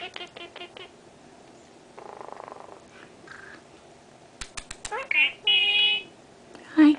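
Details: Three-year-old female Senegal parrot, kept indoors as a pet and known for talking a great deal: a few sharp clicks, a burst of rough chatter, then loud bright whistled squawks near the end, with a person's voice and room noise.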